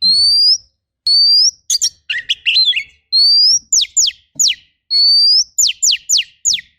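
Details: Oriental magpie-robin (kacer) in a masteran training recording of rough 'tembakan' fill-in song: long rising whistles repeated about every two seconds, each followed by quick downward-slurred sharp notes and a burst of buzzy chatter.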